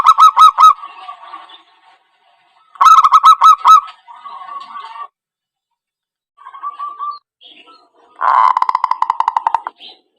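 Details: Zebra dove trapping lure call: short bursts of fast hooked cooing notes with soft drawn tones between them, ending in a harsher, rapid rattling phrase.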